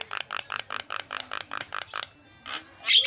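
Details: Starling lure sound meant to set quiet starlings chattering: a steady series of about ten short, harsh, broadband notes at an even pace, followed by a pause and a couple of louder rasping bursts.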